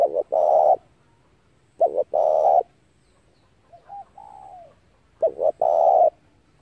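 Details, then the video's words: Spotted dove used to lure birds into traps: three loud phrases of short hooked notes and long buzzy coos, with a softer, smoother coo between the second and third. "tiếng chim cu gáy hay kích mồi rút bổi tốc độ cực chuẩn"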